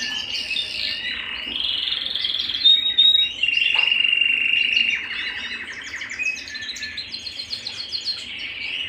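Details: Canary singing at home: a continuous high warbling song of bright rolling phrases, shifting to rapid, evenly spaced repeated notes in the last few seconds.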